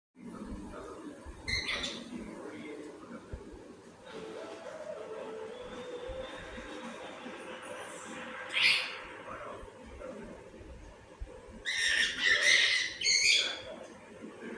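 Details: A pet cockatiel chatters in short, scratchy, speech-like bursts with bright chirps between them.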